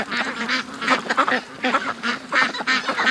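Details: Morning rush of domestic ducks from the pen to the creek and lake; a chorus of raspy, nasal quacks comes in clustered bursts with brief dips between them.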